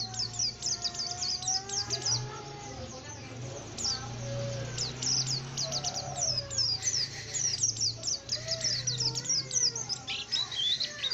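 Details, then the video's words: Active song from a tame oriental white-eye: bursts of thin, high chirps run in fast series over lower, wavering whistles and a steady low hum in the background. "burung Pleci jinak dan gacor mantap"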